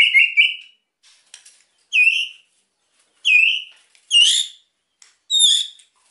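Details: Kept white-rumped shama singing to prompt quiet birds: sparse, loud, clear whistled notes, each sliding in pitch, repeated about every second and a half with silent gaps.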